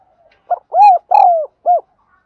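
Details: Single spotted dove coo phrase, the lure call used to train captured birds: a short clipped note, two long, slightly falling mellow notes, then a short final coo.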